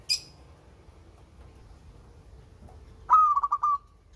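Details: Local zebra dove singing: after a long quiet stretch a brief high chirp is followed by one cooing phrase, a clear note breaking into four or five quick stuttered pulses that trail off, with soft low background rumble.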